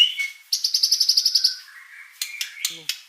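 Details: White-rumped shama in lively song: a brief high note, then a fast, even series of about a dozen bright ringing notes, followed by lower slurred phrases and a few sharp clicks.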